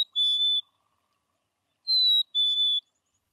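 Black-capped Chickadee giving clear, pure whistles: one sustained note, a pause, then a higher note slipping to a lower one, the familiar sweet fee-bee song.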